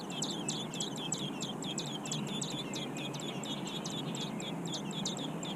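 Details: Robin chicks, grown huge in the nest, keep up a rapid series of high, thin chirps, close to three each second, a continuous chattering over faint hiss.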